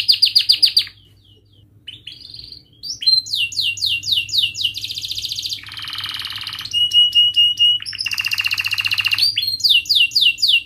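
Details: Canary song for tutoring young canaries: bursts of sharp chirps, quick upswept note series, and harsh noisy buzzing rolls alternating with pure held whistles, loud and varied.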